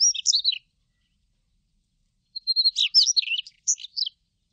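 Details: Daurian redstart singing: the tail of one twittering phrase, a pause of almost two seconds, then a fuller phrase that starts with a drawn whistle and runs into rapid, scratchy, high chirps.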